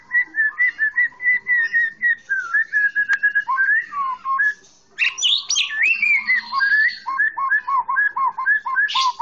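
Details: Masteran training song of a green leafbird (cucak ijo) for young birds: long chains of clear looping whistles repeated several times a second, a brief pause, then brighter rising notes and more rapid whistled loops.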